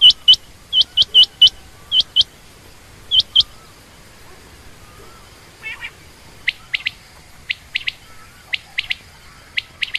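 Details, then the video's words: Female quail with loud, crisp chirp pairs at first, then a pause and softer single flicked notes repeated at even spacing. "common quail/Rain quail sound)chinga batair ki Awaz)Звук самки перепела)صدای بلدرچین)صوت السمان"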